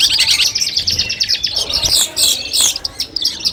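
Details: Long-tailed shrike tutoring song for a mental test before a bird-song contest: dense, rapid chirps and buzzy notes packed high in pitch, with brief louder bursts near the middle of the clip.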